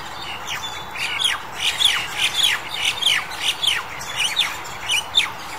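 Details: Crested Myna, recorded February 2021, giving a rapid series of sharp, down-slurred squawky notes. There are about a dozen notes in under six seconds, spaced irregularly, with faint background noise.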